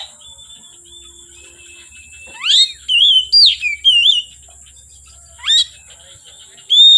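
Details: Oriental magpie-robin singing from afternoon until dark: short bursts of clear whistled notes around mid-high pitch, some sliding upward, separated by pauses, with a steady high background hiss.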